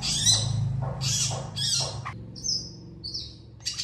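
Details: Long-tailed shrike, energetic and answered by other shrikes. Three loud harsh chattering bursts give way to thin drawn-out high whistles and a final short rasp.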